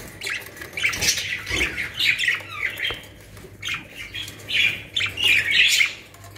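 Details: Caged budgerigars kept in a home collection in Pakistan chatter continuously with overlapping scratchy squawks and warbles, rising and falling in loudness through the recording, with a low steady hum underneath.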